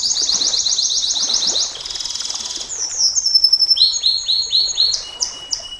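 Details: Canary singing 'nembak panjang' long song as a master and lure recording: opens with a loud fast high trill, shifts to a softer rattling trill, then repeated descending whistled notes.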